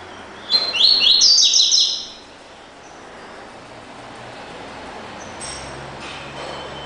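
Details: Double-collared seedeater singing the classic "tui tui" song: a fast jumble of bright, slurred whistled notes lasting about a second and a half, followed by quiet with faint hiss and a soft high note later.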